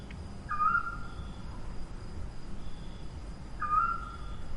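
An owl gives two drawn-out, fairly high tonal calls about three seconds apart, each with a slight wavering edge, over a steady low rumble.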